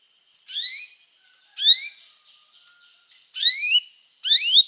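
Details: Canary sound used to call other canaries to sing and train them: four separate short chirped phrases with rising whistled notes, spaced about a second apart, with faint background tones between them.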